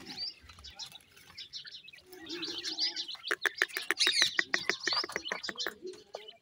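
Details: Grey francolin chicks, called Irani or Dakhni teetar, feeding, give rapid high chirps and peeps, with clicking taps and a low murmur in places.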